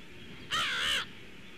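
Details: Crows, a pair flying past a nest toward marshland at 09:25 on 12 November 2017, caught by a nest camera: one loud, harsh, hoarse caw lasting about half a second, with faint background hum.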